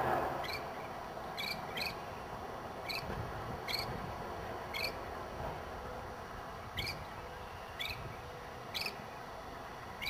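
Northern Shrike giving short, rising, nasal call notes about once every second, some in quick pairs, over a steady low rumble of background noise.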